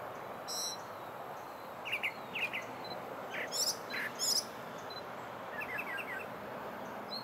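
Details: Brown thrasher singing at Bay Street Park in Osprey, Florida: short, sharp, varied phrases, several in quick pairs, separated by pauses, over a steady background hiss.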